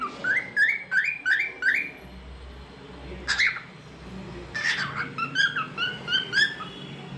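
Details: Pet cockatiel, described as talkative, singing indoors: a run of quick rising whistled notes repeated about twice per second. A pause follows, then scratchy chirps and a further series of bright whistles, over a low steady room hum.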